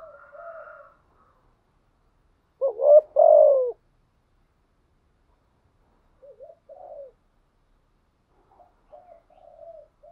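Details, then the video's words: Spotted dove used as a decoy, with a 'giọng thổ' voice. One loud, deep, hoarse cooing phrase stands out, surrounded by fainter, softer coo fragments before and after it in a quiet setting. "chim cu mồi thúc gù liên tục"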